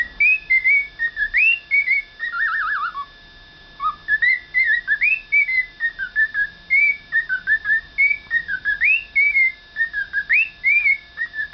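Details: A pet cockatiel raised in Hong Kong, which learned to sing after adoption, whistles a long, tuneful song of clear rising and falling notes in quick phrases.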